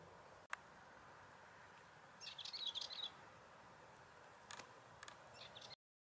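A Balearic warbler gives one short, scratchy, high-pitched chattering burst lasting about a second. A steady outdoor hiss and a couple of faint clicks sit underneath.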